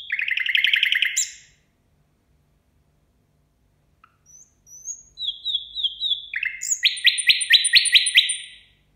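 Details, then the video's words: Nightingale song at New Year: a fast rattling trill, a pause, then soft high whistles, level repeated whistled notes and a loud, rapid, rhythmic rattle of short strokes. "Соловей поёт на новый год."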